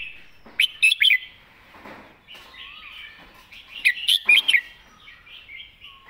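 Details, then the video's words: Red-whiskered bulbul singing its master song with clear enunciation: two matching bursts of cheerful, rolling whistled notes about three seconds apart, with softer warbling and faint chirps in between. "วางสำนวนชัดๆ"เดินเพลงแม่บท ชัดถ้อยชัดคำ#นกกรงหัวจุก #เสียงนกกรงหัวจุก"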